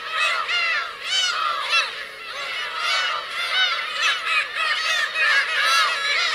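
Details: Black-tailed gull parents with chicks on the Kurosaki coast of Teuri Island, Hokkaido, Japan, 17 June 2021; a dense chorus of overlapping nasal, arched mewing cries from many birds, with no pause between calls.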